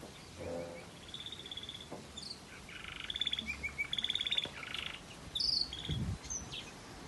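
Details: Waterslager melody from a variegated red factor canary: soft trills build into loud, fast rolling and gurgling phrases at several pitches, ending with high sharp notes and quieter trills.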